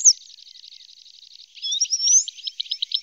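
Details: Red-spotted bluethroat in Norway, part of a pair feeding young; a buzzy evenly pulsed series of notes, then high sweeping whistles and a quick run of loud chirps.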